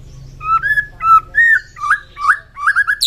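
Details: White-rumped shama morning song, used to raise fighting spirit in shamas: loud, clear whistled notes, some held flat and some slurred or bending, repeated in quick phrases about every half second, over a low hum.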